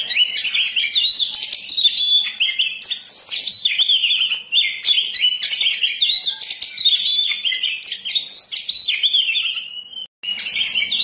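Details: Master recording of a persistently singing Oriental magpie-robin for luring or training birds: an unbroken stream of shrill whistles, trills and sliding notes over about ten seconds, briefly cut by a short silence before the song resumes.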